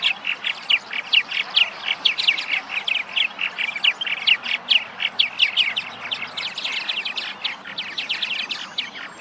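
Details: Several purple martins returned in spring to Massachusetts nesting birdhouses, calling together: rapid, busy chirping with crisp repeated notes that rise and fall in loudness and never pause.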